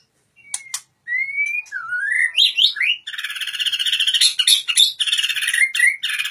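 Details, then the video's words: Oriental magpie-robin with sliding whistles leading into a long fast buzzy trill, broken by brief whistled notes and clicks. "murai batu matep tenen"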